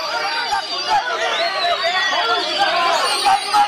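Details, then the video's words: Oriental magpie-robin singing loud, varied whistled phrases with rapid trills, amid a noisy contest crowd of chatter and clapping with other birds; this bird won double winner at the Brebes singing contest, 22 August 2021. "Kacer Donking Ngeroll Nembak Volume Tembus"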